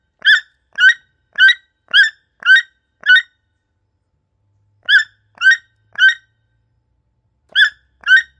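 A toucan gives harsh, croaking notes, each about half a second apart, in bursts of six, three and two, against an otherwise quiet background.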